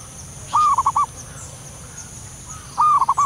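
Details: Soft call of a wild local zebra dove, two gentle phrases, each a brief sustained coo followed by three or four rapid bouncing notes, with a faint constant high-pitched insect hum behind.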